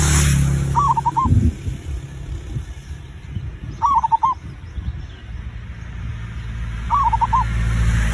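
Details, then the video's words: Zebra dove song used as a lure to get other birds singing: three trilled, rolling coo phrases spaced about three seconds apart, with a humming low background and faint high hiss. "perkutut raja pikat cocok untuk memancing burung cepat bunyi"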